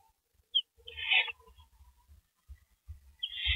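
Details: Owls at a nest at night on April 15, 2012, as a rabbit is delivered, producing two raspy hissing screeches, one near the start and one at the end, separated by quiet rustling and low knocks.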